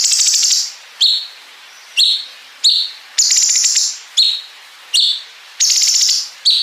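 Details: Cungkok bulbul training song for contest songbirds, with long bren buzzing phrases and ngepik calls: sharp high chirps alternate with several sustained, finely pulsed buzzy trills, all bright and high-pitched.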